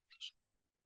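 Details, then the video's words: Blue jay at sunrise on October 14, 2025, by a meadow at a retreat centre in South Carolina's Piedmont, giving two quick, harsh, high screams in under half a second that mimic a red-shouldered hawk; a real red-shouldered hawk is also about. "a blue jay mimicking a red-shouldered hawk"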